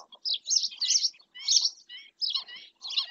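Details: A black-winged stilt calls in Doñana National Park, Spain, with slower, grouped bursts of hoarse, yelping notes separated by brief pauses, each burst raspy and strained.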